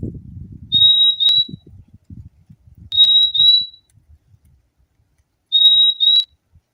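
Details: Singing purple-throated euphonia, locally fim-fim: three high, piercing whistled couplets spaced a couple of seconds apart, opening over a brief low rumbling background noise that fades away.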